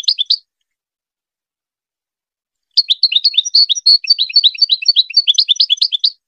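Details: Song of a goldfinch, played to teach hybrid chicks: a brief twitter, then after a gap a long, fast run of high, jumbled chirps and tinkling notes lasting over three seconds.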